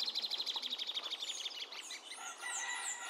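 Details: Plain thornbird singing a fast, pulsing run of roughly fifteen sharp notes that slide slightly downward, then giving way to a jumble of overlapping chirps and whistles from other birds.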